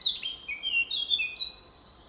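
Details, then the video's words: Eurasian blackcap, a good singer, in a forest, giving a short burst of clear, melodious whistles that slide and drop in pitch, loud and close, then fading out. "черноголовая славка поет в лесу"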